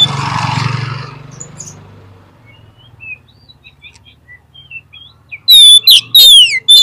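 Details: Oriental magpie-robin (kacer) lure song used to prompt reluctant birds to reply: a rustling, breathy noise first, then soft scattered chirps, ending in a run of loud, ringing, downward-slurred whistles.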